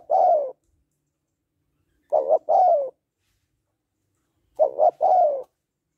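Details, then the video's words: Spotted dove female calling to arouse a male; the first phrase is cut short, followed by two full three-note coos ending in a drawn, falling tone. "Tiếng Cu Gáy Giọng Hạp BổI ĐỦ BÀI [ GÁY GỌI,THÚC,GÙ ]Kích Bổi Nhanh Nổi"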